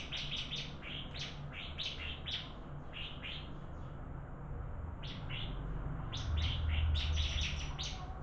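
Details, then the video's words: Bar-winged prinia in a singing contest: bursts of sharp, high chipping notes repeated rapidly in quick clusters, with a pause mid-way, over a low background hum. "Burung Ciblek Adu Suara"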